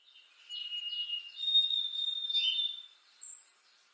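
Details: White-throated sparrow (Zonotrichia albicollis) song: clear, pure whistles, a held lower note sliding into a longer, higher sustained whistle, followed by a brief high chip.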